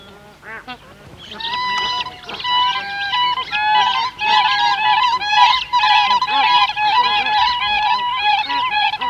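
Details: Calls of adult and young Siberian cranes, bar-headed geese audible behind: a few soft honks open, then a rising, dense chorus of loud, ringing, flute-like crane notes overlapping in rapid bursts.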